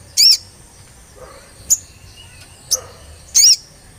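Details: Olive-backed tailorbird recorded as a lure to make the bird sing quickly: four loud, sharp, very high notes at irregular spacing, the first and last longer and doubled, the middle two brief chips, over a faint quiet background.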